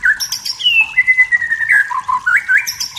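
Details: Wild forest white-rumped shama singing to provoke rivals, giving a long drawn whistle that slides down then steadies, followed by quick rising notes.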